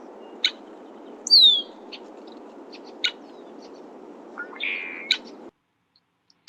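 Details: At Meadow's Edge, Big Bear Lake, California, a male Red-winged Blackbird gives its alarm call: sharp, scattered 'check' notes, a thin descending whistle and a brief buzzy note, over a steady low rumble of background noise.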